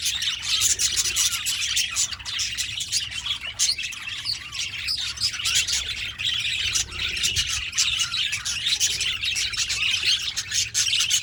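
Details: Busy budgerigar chirping, a steady wall of high, buzzy twitters and chirps with brief squawks, many notes overlapping over about eleven seconds without pause.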